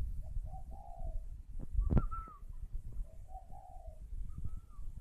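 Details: Spotted dove on its nest at a bird farm near Hanoi, Vietnam, cooing softly; two mellow multi-note coos with a long final note, under constant low rumbling noise, a sharp knock and faint higher whistles.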